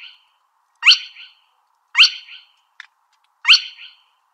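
Spotted crake giving three sharp, whiplash notes that sweep up then drop, about one every 1.3 seconds, with a faint click between; otherwise quiet.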